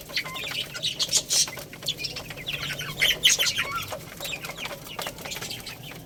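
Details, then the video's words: Young chicks pecking at rice, with overlapping high peeps rising and falling in loose clusters, mixed with sharp ticking taps from feeding. "Beautiful Little Chicks Chirping Sounds"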